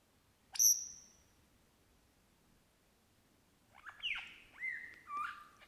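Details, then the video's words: A lyrebird in Australian bush mimics other birds such as crow, kookaburra and magpies: one sharp high whistle that slides down and fades, a pause, then a run of falling and bending whistled phrases. "The Australian Lyrebird singing in the bush"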